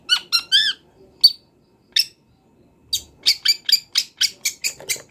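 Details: Wild long-tailed shrike singing energetically with mimicked fill-in phrases: a few harsh buzzy notes, a pause, then a fast run of rasping chips repeated several times a second.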